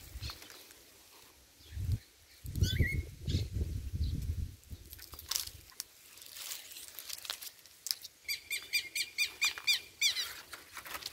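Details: Rufous-bellied thrush chick filmed 28 November 2022; rustling and handling noise with one brief squeaky note early, then late on a burst of rapid, harsh, repeated calls several per second.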